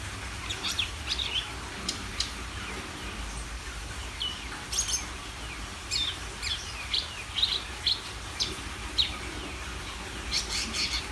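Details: Greater green leafbird singing, a busy run of high whistled slurs and sharp chirps scattered through the phrase, over a steady low background hum.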